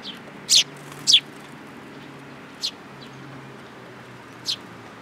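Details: Sparrows visiting a Tenmangu shrine to be fed, 8 July 2022; two loud chirps close together, then two fainter single chirps after longer pauses, over a low steady hum.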